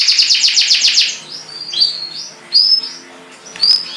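A canary opens with a fast run of about eight bright, repeated chirps in the first second, then gives scattered high, sweet whistled notes and trills.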